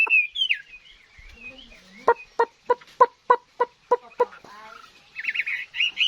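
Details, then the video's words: Mature wild-caught hwamei, said to sing well, starts with a clear whistled slur. A burst of rapid, harsh, stroke-like notes follows, then a rich, bubbling warble at the end. "Chim hót tốt"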